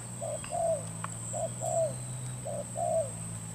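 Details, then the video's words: Spotted dove used as a lure for trapping, from Cà Mau, Vietnam, recorded 21 February 2024. Three soft coo pairs, a short note followed by a longer sliding one, over low hum and a thin high tone. "bẫy chim cu gáy mồi đất cà mau"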